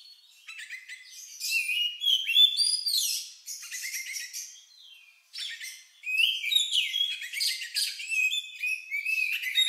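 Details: Oriental magpie-robin, its peculiar song likened to a lovebird and used as a lure for other birds: soft opening notes build into loud mixed whistles and buzzy trills, a short gap, then a long lively chattering phrase.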